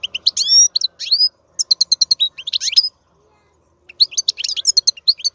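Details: Wild European goldfinch with a strong, powerful song: rapid high twittering of trills, buzzy notes and rising slurred whistles in quick bursts, with a pause near three seconds, then renewed chattering phrases.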